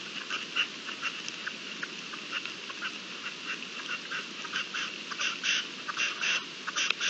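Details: Partridges during the mating season, recorded 27 April 2021, give a busy run of rasping, clicking notes. They come irregularly and grow louder and denser toward the end, over constant low hiss.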